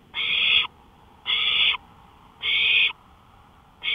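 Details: Owl out on a porch at 1:53 AM, May 5, 2013, with rasping hiss-screeches repeated about every 1.2 seconds. Three full bursts sound, a fourth begins at the end, and a soft steady noise runs underneath.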